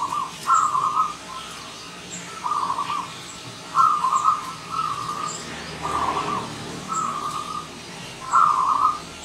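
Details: Morning singing of a wild local zebra dove: separate trilled, stuttering coo phrases about every one to two seconds, some louder and rolling. Distant high chirps and low background noise are also heard.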